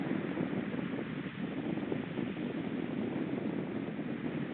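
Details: Steady rushing wind and water-like noise fills the recording, with no animal call heard.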